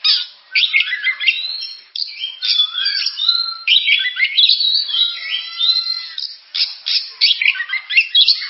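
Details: Oriental magpie-robin, known locally as kacer, singing a rich, varied, continuous song of whistled slurs, rising and falling notes and harsh chattering phrases with brief pauses.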